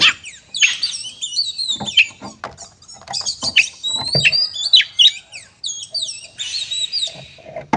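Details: Oriental magpie-robin fighting song, used to make other kacer sing angrily: a rapid jumble of high whistled slurs, twitters and scratchy notes, with a steady, level whistle toward the close.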